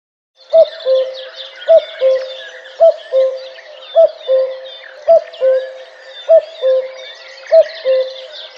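A common cuckoo repeats its falling two-note 'cuck-oo' about once a second, with a busy chorus of other songbirds twittering behind it.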